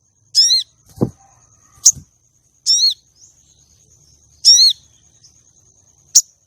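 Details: Female common iora calling to attract and excite male contest birds. Three bright, stacked notes sweep downward, each lasting a quarter second, mixed with sharp high chips. A low thud sounds near the start.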